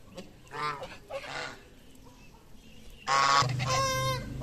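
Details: Feeding geese in the morning give scattered nasal honks, two moderate ones early, then a loud, prolonged, harsh honk after a quiet gap, followed by a second strong rasping call.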